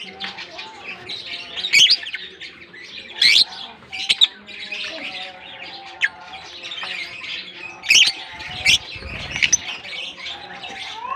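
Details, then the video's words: Busy African lovebird colony with steady high twittering and scattered loud shrieks near 1.8, 3.3, 4.2, 8 and 8.7 seconds, plus a brief low rumble. "African lovebirds colony"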